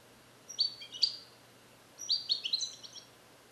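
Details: Song of a young male European goldfinch, captive-born in 2021 in the USA and taught Neapolitan song passages that are not yet complete. Two high, tinkling phrases of rapid slurred notes are split by a half-second pause.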